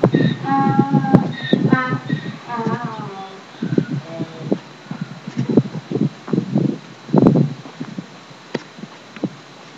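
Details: Domestic geese, unhappy at being filmed, give a series of harsh, nasal honks with rich overtones over the first three seconds, followed by thumps, rustling and scattered low grunting noises.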